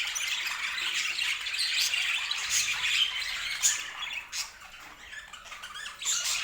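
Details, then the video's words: Domestic budgerigars chatter with fast, scratchy warbles and chirps, louder at first, fading near the end before a final rise of squawks. "O Som dos Periquitos"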